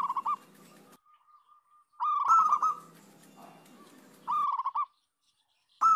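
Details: Local zebra dove chorus meant as a lure to make other zebra doves sing; repeated bursts of rapid, gurgling coo notes, each starting with a higher opening note, broken by short silent gaps.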